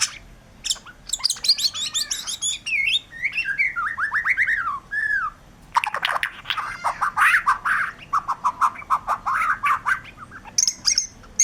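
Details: White-rumped shama in energetic gacor song: fast trills and slurred whistles that slide downward, then dense rough chattering phrases mixed with sweeter notes, all delivered in quick bursts with short gaps between them.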